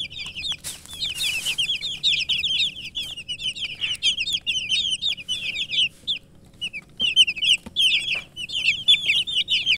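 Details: Chicken chicks chirping loudly, dense rapid runs of high, falling peeps from many chicks with short pauses, occasional clicks and a brief rustle.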